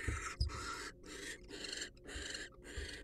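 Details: Wild barn owl in a monitored nest box: a few rough, breathy hiss bursts, uneven in length and spacing, with soft low thumps and rustling between them.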